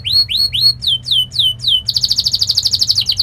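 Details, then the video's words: Canary in sharp, speedy training song for young birds learning to roll. Three upslurred whistles, then three down-slurred swoops, followed by a rapid, even, high buzzy trill. "Kenari gacor Speed Tajam cuit cuit NgeroL | pancingan kenari ini Sukses bikin kenari Ngerol EMOSI"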